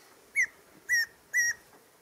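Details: A Tawny antpitta at Reserva Antisana, Napo, Ecuador, gives three clear, mid-pitched whistled notes, each short and level with a slight downturn, spaced about half a second apart, over faint background hiss.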